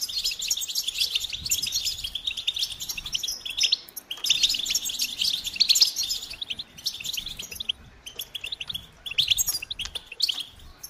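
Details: Goldfinch song in two rich bursts of rapid high twittering and jangling trills, quieter between them, then resuming in lighter chirpy phrases.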